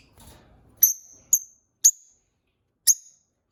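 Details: Peach-faced lovebird, part of a newly kept pet couple, uttering four crisp, high-pitched chirps roughly half a second to a second apart after a brief soft low rustle.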